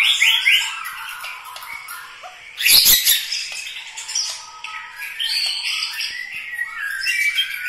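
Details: White-rumped shama, genuine Medan Bahorok Bukit Lawang type, giving varied whistled phrases and chirps. A loud brief rustling burst, like flapping, comes near the middle, then sweet rising and falling notes resume.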